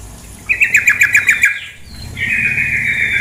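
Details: Female sooty-headed bulbul giving a clear pulsed rattle of about eight notes, followed by a steady hissing wash of flowing water.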